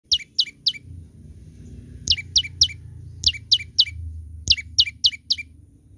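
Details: Young olive-backed tailorbird singing: sharp, high, downslurred chip notes in quick bursts of three or four, each burst separated by a short pause, with a low background hum throughout.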